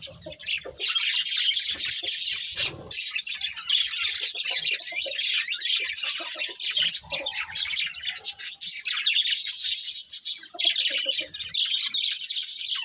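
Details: Budgerigars chatter continuously in a dense, buzzy wash of high warbling notes with no real pauses, individual chirps hard to pick out.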